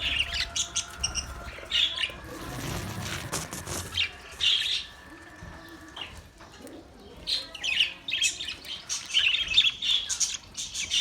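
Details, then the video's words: Australian parrot chirps in spaced bursts, interrupted midway by a rustling, noisy stretch, then resuming with lively high twittering. "Beautiful Australian parrot video Bird Chirping sounds"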